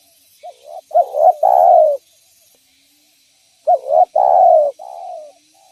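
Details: Spotted dove calling, used to lure other spotted doves: two phrases of soft, low, mellow coos, each a short rising note followed by a longer drawn-out coo, separated by a few seconds of silence.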